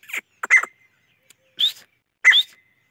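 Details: Chachalaca uttering a few harsh squawks followed by two clear rising whistles, with silence between the notes.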